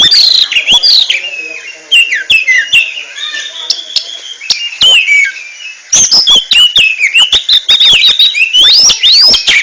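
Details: Ngentrok-style oriental magpie-robin song, a rapid jumble of bright whistled slurs, trills and harsh chattering notes, quieter through the middle before a loud burst of sharp ticks and sweeping whistles.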